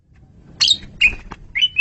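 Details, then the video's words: A cagebird Asian pied starling sings on a master recording for training other birds: four loud, short whistled notes in under two seconds. Some are bright slurred whistles, and the last two are clear rising whistles over a quiet background. "KICAU SUPER GACOR!!! JAGO BANGET MASTERAN JALAK SUREN INI"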